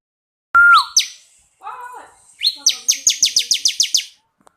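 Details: Bar-winged prinia of the 'kristal' variety, recorded as master song for other birds: a loud whistle with a falling end, high upslurred chips, a lower warbled phrase, then a rapid trill of about ten sharp notes.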